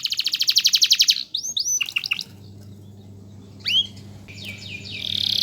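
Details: Canary singing, used as a master bird for teaching song to other birds: a fast buzzy trill of about a second, then scattered high rising and falling whistled notes and a final harsh buzzy phrase over low background hum.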